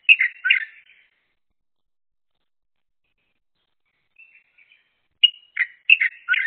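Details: Crested myna pair, one bird eating and the other on watch, trading calls: a quick burst of chirpy notes, several seconds of silence, a few soft notes, then another lively burst of alternating high and low chirps.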